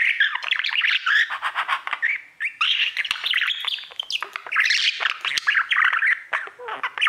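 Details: Male pet budgerigar singing continuously to his mirror indoors, a loud, close, busy warble of chirps, squeaks and buzzy trills with hardly any pause.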